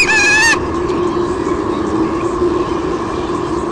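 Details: Female white-bellied sea eagle squealing as the male brings a fish to the nest, nest camera at Sydney Olympic Park, Australia, 23 June 2016. One short, loud harmonic squeal lasting half a second, then steady broadband hiss.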